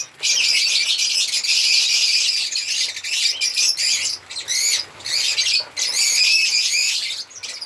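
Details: African lovebirds singing and chirping in a steady stream of piercing, wavering high squeaks, with a few brief dips between rapid runs of chatter.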